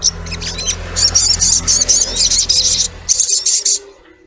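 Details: Female collared kingfisher, locally sogok ontong, calling to a male: loud, scratchy high bursts run almost continuously for three seconds, then a short break and a few more, with soft low music beneath.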